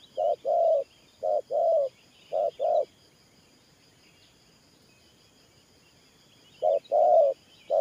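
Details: Spotted dove decoy for ground trapping, cooing 'thổ pha nước' style: three quick short-long coo pairs, a silent pause of several seconds, then the pattern resumes; faint high bird chirps behind.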